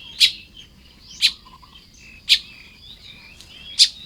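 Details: Nest-building Baya weavers calling in the morning at Lopburi, Thailand, 1 May 2026, with four loud sharp chips spaced roughly one second apart, between them thin high buzzy trills. Quiet background, no cooing.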